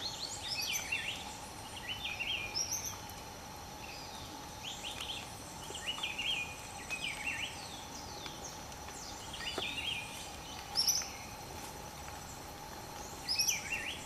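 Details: Endemic Velvet-fronted Euphonia at Cerro Quinini near Bogotá, Colombia, giving short, high chips and twittering notes in scattered bursts, with a steady insect drone underneath throughout.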